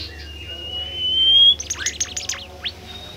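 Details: A golden-bellied gerygone, a rare, shy bird, gives a long, thin, high whistle sliding slowly upward for about a second and a half, then a quick flurry of sharp, high chirps and trills.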